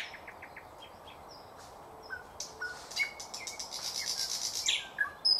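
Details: Thrush nightingale song, 2024, over a hissing background: faint thin whistles, then louder repeated rattling notes and clear whistled accents near the end.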